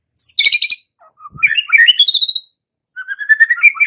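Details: White-rumped shama singing to provoke young forest-caught birds and pastol birds into song: a harsh burst, then a pause, then bright slurred whistles climbing in pitch, and a final buzzy trilled phrase.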